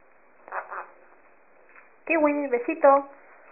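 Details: Monk parakeet, a pet, says the word "guapo" in a voiced, slightly raspy tone, after a soft murmur.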